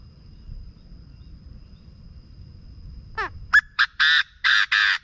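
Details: Chinese francolin, used for decoy trapping to stir up birds: after low background rumble, a sliding downward note, two clipped sharp notes and three loud, harsh, rasping bursts spaced evenly.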